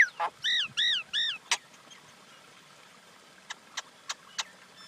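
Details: Common myna uttering a few croaking notes followed by three loud, arched, nasal squawks, then a sharp click and a series of spaced clicking notes against quiet background hiss.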